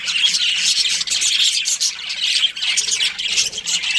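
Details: Breeding pair of budgerigars chirping: a dense, continuous stream of high, scratchy chatter and squawky notes with only brief dips, overlapping calls filling the whole stretch.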